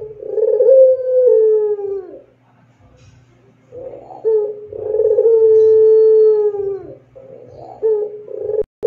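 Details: Indonesian Barbary dove singing in the long, clear pelung style used to tutor other doves; two extended coos, each starting with a rolling, throaty burst and settling into a smooth held tone, separated by a quiet pause.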